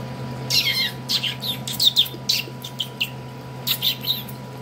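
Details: Pet parakeet in a tantrum indoors, giving harsh, broadband chirping squawks in irregular bursts with short gaps, some rising and falling, over a constant low hum.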